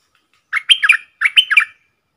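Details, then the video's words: Two clear whistled phrases from a bold wild red-whiskered bulbul confronting a caged decoy bird; each phrase holds three to four chirpy, bouncing notes, the pair repeated almost identically, recorded 5-6-64. "เสียงนกกรงดอกแตงEp.56Birds soundsนกป่าห้าวจัดมา ริกใส่แล้วก็ไปSuara merbah lekir gacor"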